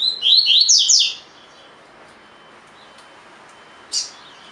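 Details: Caged collared seedeater, tui tui fibra song as training audio: a fast series of upswept whistles and chips lasting about a second, followed by quiet and a single sharp click near the end.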